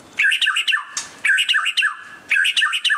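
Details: White-rumped shama during display, repeating the same quick phrase three times about a second apart: a cluster of squeaky chirps and short warbled notes, with a brief harsh burst between the first two.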